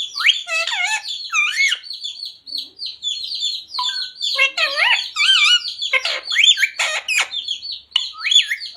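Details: Parrot speaking devotional phrases like radhe radhe and jai shree ram, plus mummy papa, in a small room. A dense run of nasal, speech-like syllables is mixed with sharp chirps and squeaks, with little silence between.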